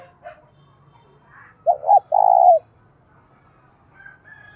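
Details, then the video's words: Spotted dove used as a decoy, cooing to stir rivals to fight: a short double hoot, then one drawn-out, even coo ending in a slight downturn, with faint higher chirps from other birds before and after. "Chim Cu Mồi - cu gay kich boi nhanh noi gù hieu quả, cu gáy thúc đấu"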